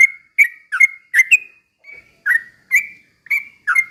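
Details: Trucukan, a Yellow-vented bulbul, delivering slow ropel song meant as a lure to excite other birds; clear whistled notes dipping and leveling, spaced roughly every half second.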